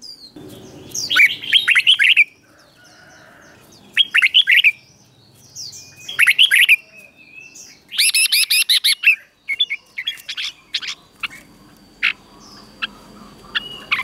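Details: Red-whiskered bulbul singing for caged birds to copy, Thailand: short, punchy warbled phrases roughly every two seconds, each a cluster of bubbly rising and falling notes, followed by scattered sharp chips and whistles.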